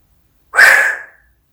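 A grey parrot gives one breathy, hissing burst lasting about half a second, a mimicked eating noise, with no other sounds around it.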